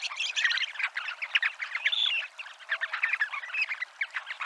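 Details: A flock of dunlins on the seafront at Abruñeiras, Ría de Noia, twitters in a dense, continuous chatter of short, buzzy, high notes overlapping without pause, with a few thin rising whistles.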